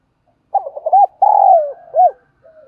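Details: Spotted dove kept as a decoy bird, calling to lure and provoke wild doves: one phrase of a few short stuttered coos, then a long drawn, falling coo and a final clipped note, clean and loud.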